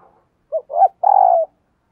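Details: Decoy spotted dove cooing in the morning to lure wild doves, with thúc and gáy calling styles. A short low note, then a swelling hoot, then a longer steady mellow coo that falls slightly at the end. Quiet background.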